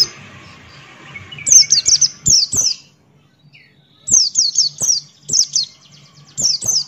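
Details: Buxton's white-eye, beak open, giving ngalas-style song: rapid rattling runs of high downslurred chirps separated by brief pauses, over a faint low hum.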